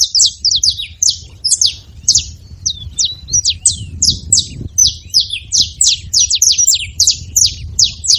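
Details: Saffron finches calling together in a busy, overlapping chatter of high, sharp chips and short slurred notes, continuous throughout over a low rumbling background.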